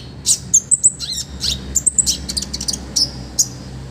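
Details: Olive-backed sunbird master recording, full of rich fill-ins for training other birds: scattered shrill chirps, downward-slurred squeaky notes and brief clusters of very high ticks with short pauses.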